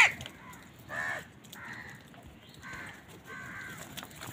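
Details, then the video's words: Many crows on a winter morning, fighting with wild birds for food; several short, harsh caws come in separate bursts about half a second apart against a quiet outdoor background. "Many Crows crowing sounds and noises on a winter morning"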